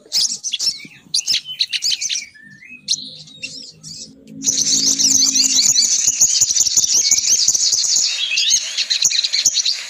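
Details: Female crimson sunbird calling to attract males: a few separate high chirps, then a dense, continuous stream of rapid, shrill twittering that fills the rest of the recording.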